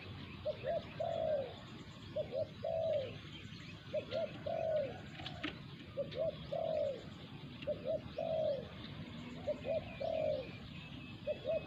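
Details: Spotted doves during decoy hunting, a caged decoy bird confronted by a wild resident bird. Low, mellow cooing phrases repeat about every 1.6 seconds: two or three short coos, then a longer slurred note. Faint chirps sound in the background.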